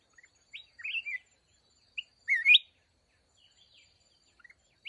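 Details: Red-whiskered bulbul, the decoy bird of a trap targeting wild mountain bulbuls, gives crisp, short whistled phrases with sharp upward and downward slurs, separated by long silent gaps, plus a few soft chirps.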